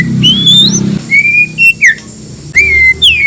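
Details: White-rumped shama song used to provoke other shamas into answering: clear, pure whistled phrases, some rising and some sliding down, separated by short pauses, over a low background hum.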